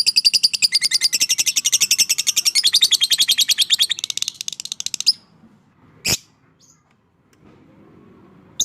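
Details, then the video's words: Fighter lovebird giving its long 'ngekek' chatter, meant to encourage silent lovebirds to sing: about five seconds of fast, high, buzzy pulsed trilling, then it stops, followed by a single sharp chirp and quiet. "Suara Burung LOVEBIRD FIGHTER Ngekek Panjang"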